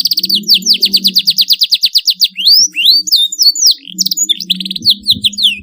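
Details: Canary giving 'cuit cuit' chirps meant to prompt young birds to learn their song: rapid repeated downward-sweeping notes, a short pause, then varied upslurred whistles and dense chattering trills, with a faint low hum beneath.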